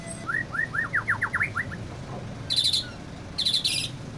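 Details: White-rumped shama described as easily agitated: a quick run of rising whistled notes, followed by two short harsh, buzzy high-pitched bursts, over a low steady background hum.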